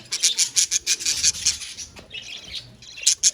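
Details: Parakeets in a colony: a quick run of sharp, high chirps repeated about three times a second, then softer scratchy chatter and two final bright chirps.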